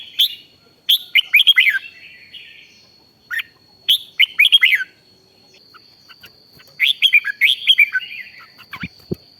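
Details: Rik-style red-whiskered bulbul song for exciting other bulbuls; three bursts of rapid, bright, downslurred whistles a few seconds apart, a thin steady whine behind, and a sharp click near the end.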